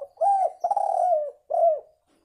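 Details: Spotted dove lure call: loud mellow cooing in three notes, a short coo, a long sustained coo sliding down at its end, then a final falling coo. No other sounds are heard.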